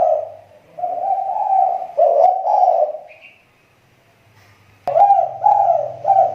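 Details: Spotted dove used for luring, its call getting better again: drawn-out husky coos running for three seconds, a silent pause, then a fresh burst of cooing after a sharp click.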